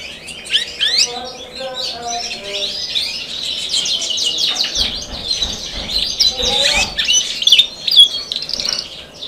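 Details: Actively singing canary with good posture: a long, dense, high warbling run of rapid chirps and buzzy trills with little pause, plus a few lower whistled notes and faint background talk.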